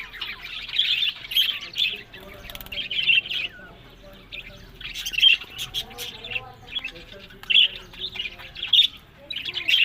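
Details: Budgerigars kept for breeding in Larkana, Sindh, giving bursts of harsh, scratchy squawks and chirps separated by short quieter pauses, with soft background chatter between the louder outbursts.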